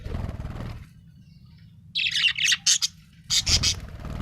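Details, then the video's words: A happy budgerigar chirping in two lively bursts of rapid, bright, high-pitched notes, four or five short chips each, separated by a quiet pause; low rumbling noise at the very start. "happy budgie chirping sound"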